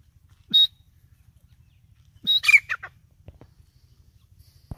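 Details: Female teetar francolin call, a hunting lure: a short sharp high note, then a loud harsh burst of rapid rasping notes, with a regular low ticking in the background.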